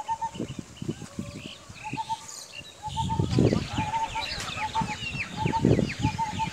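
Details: Common hawk-cuckoo giving short, clear whistled notes in quick groups of two or three, repeated every second or so, over chirping from other birds and bursts of low, rough bleating-like noise.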